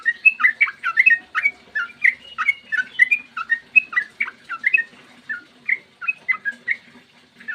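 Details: Sooty-headed bulbul pouring out a long song meant to draw other bulbuls into singing, a brisk chain of clear slurred whistles about four per second, loud at first and thinning toward the end, over a faint low hum.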